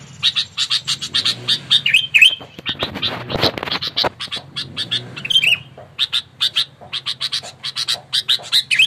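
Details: Aggressive, fighting sooty-headed bulbul, a lure bird, calling to provoke rivals: dense runs of short, sharp chattering notes with a few quick downslurred whistles, interrupted midway by a brief low rumbling noise.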